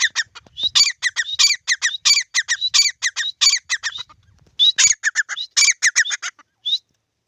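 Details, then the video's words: Pair of grey francolins (teetar) calling in a field: loud, harsh, ringing notes delivered in rapid runs of repeated phrases, a short lull near four seconds, then more bursts that trail off into silence. "Teetar Ki Awaaz | Teetar ka Pair | Teetar sound in beautiful field."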